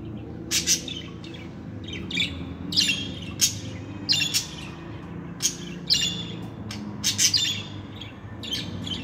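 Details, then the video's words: Male and female pet budgerigars give sharp, bright chirps and harsh squawks in scattered bursts, some paired, over a steady faint background hum. "KONUŞAN MUHABBET KUŞLARI ÖTME SESİ"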